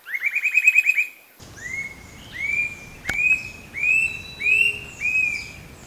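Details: Gray-hooded attila song in coastal Atlantic Forest of Paraná, Brazil: a fast run of ringing whistled notes rising in pitch, then several loud slurred whistles, each rising then falling, about a second apart, with faint forest background.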